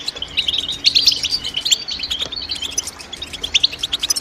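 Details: European goldfinch giving bright, tinkling chirps: a loud cluster of high notes early on, then softer twittering and a run of quick sharp tweets toward the end.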